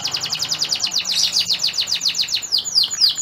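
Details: Stud male canary singing to bring a female in breeding condition to mate, delivering a rapid rattling trill of high, evenly repeated chirps, about four per second, ending in slower downward-sweeping notes.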